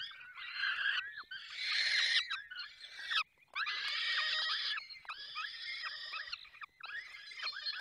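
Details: Feeding time at a falcon nest in Poland's Barycz Valley: several overlapping screechy, wavering calls in long bursts, the loudest around two seconds in, broken by short silences.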